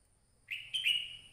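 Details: Crested red-whiskered bulbul delivering a clear two-part whistle. A short upslurred note is followed by a longer, sustained bright note, all within about a second.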